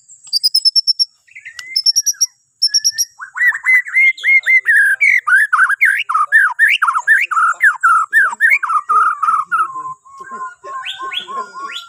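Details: Borneo white-rumped shama in full song, offered as a morning prompt for other birds: opening high pure whistled notes in short groups, then a long fast stream of varied slurred whistles and chattering phrases, ending in lower repeated notes.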